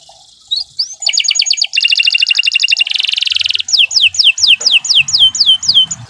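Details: Canary in long, vigorous song used for bird training: after a quiet start, a ringing rapid trill, a dense buzzing roll, then clear descending whistled slurs repeated about twice a second.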